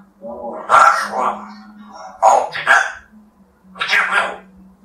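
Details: African grey parrot competing in the 3rd Talking Birds Championship of Poland, from Russia, giving a monologue: three loud, harsh, voice-like bursts, each splitting into two or three syllables, with silent gaps between them and a low hum.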